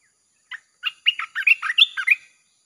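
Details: Red-whiskered bulbul singing a song used to lure wild birds: a short lead-in chirp, then a quick run of about eight bright, rolling whistled notes rising and falling, over a faint high steady hum.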